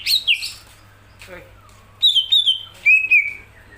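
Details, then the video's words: Greater green leafbird, a kept songbird, singing bright whistled phrases: two sharp notes, a pause with a soft low sound, then two groups of loud, clear, slightly descending whistles. "cucak ijo gacoran"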